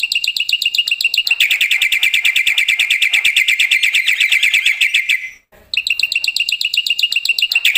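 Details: Black-winged myna song played loud to get other mynas singing: an unbroken, very fast chattering trill of dense repeated notes, a brief gap, then the rapid chatter resumes.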